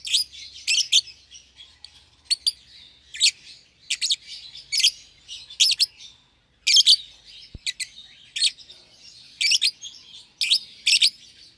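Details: Two young caged lovebirds, euwing green opaline and red-eyed albino, paired after feeding each other: steady run of piercing high chirps, often in doubles and triples, over a continuous soft twitter.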